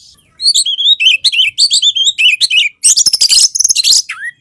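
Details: Loud Oriental magpie-robin song from Indonesia, used as bait to set lazy birds singing, with bright looping whistles, rapid buzzing trills and scratchy chatter, closing on a falling slurred note.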